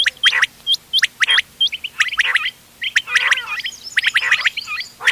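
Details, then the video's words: Mixed quail voices (ghonge wal, doghla, changa types), 31 October 2025, meant for hunting: quick hooked chirps and clipped notes tumbling together, growing denser and buzzier toward the end. "گھونگے وال دوغلا چنگا بٹیروں کی مکس آواز quail bird sounds for hunting bater ki awaaz"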